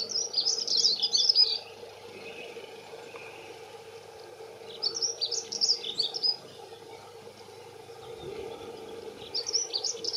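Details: Two male dunnocks singing their territorial song: fast, high, jangling warbled phrases about a second and a half long, separated by pauses of several seconds, over a steady low background hum.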